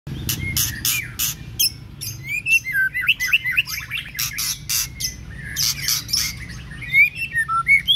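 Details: White-rumped shama in Babagan village, Lasem, being prepared for a practice singing contest: loud varied song of whistled slurs, sharp chattering notes and rising and falling phrases, with a low hum behind.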